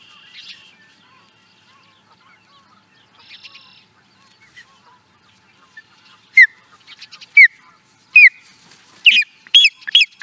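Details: Osprey recorded in 2017 at Charlo, Montana, USA: quiet scattered notes give way to loud, sharp, falling whistled chirps, coming faster toward the end in a rapid excited burst.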